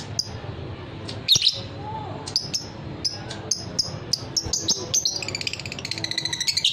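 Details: Fighter lovebird singing: scattered sharp high chirps and clicks, then from about the fifth second a long, fast, even trill of rapid pulsing notes (ngekek), rising in intensity toward the end.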